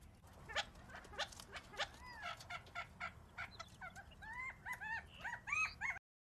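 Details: Gambel's quail (Callipepla gambelii) chattering: a quick run of sharp clucks, then bright arched notes repeated several times a second, likely from more than one bird.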